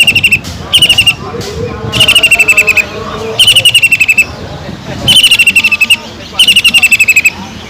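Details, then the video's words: Greater green leafbird (cucak ijo) in full 'gacor' song with kingfisher-imitation fill (isian tengkek udang): bursts of rapid, buzzy trilled notes, each lasting about half a second and repeated at uneven intervals, over faint low background hum. "PANCINGAN CUCAK IJO GACOR ISIAN ISTIMEWAH TENGKEK UDANG"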